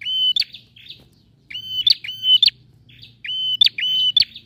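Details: A male bar-winged prinia sings vigorously, with flat whistles followed by sharp upturned notes, often doubled. Soft, raspy chips fill the gaps, and there is faint low background hum.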